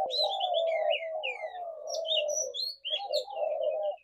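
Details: Spotted doves cooing in a low, unbroken drone while small birds add busy, high chirps and short trills above.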